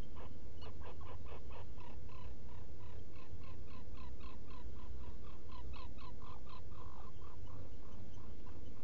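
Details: Black guillemot in a nest burrow on Seal Island NWR, Maine, early morning of 18 June 2018; a steady run of short, mid-pitched peeping notes, slightly over one per second, over a constant low hum.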